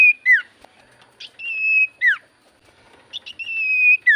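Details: Javan white-eye lure song for prompting silent birds to reply: level drawn-out whistles, each ending in a quick downward slur, repeated about every two seconds with short high chips between.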